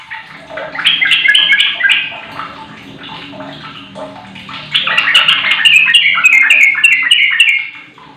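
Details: Sooty-headed bulbul lure song aimed at getting a mute bird to respond, in two loud bursts of rapid, bubbling, chattering warbles separated by a quieter stretch.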